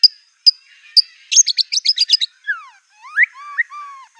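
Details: White-rumped shama in furious song carrying mimicked canary, cililin, cungkok and lovebird phrases: three isolated sharp pips, a fast rattling trill of chips, then slow, clear whistles sliding down and up.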